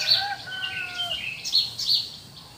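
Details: Early morning countryside birdsong; several overlapping thin whistles and high chirps, one series of descending slurred notes, with faint low background hum.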